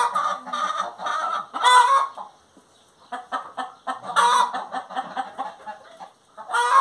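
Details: Hen singing: loud, harsh clucks and cackles in uneven bursts, some with long rasping notes, pausing for a moment before starting again.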